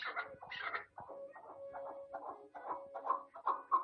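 A chukar gives a run of hoarse, clucking chuk notes, about two a second, growing louder toward the end, with a faint steady tone underneath.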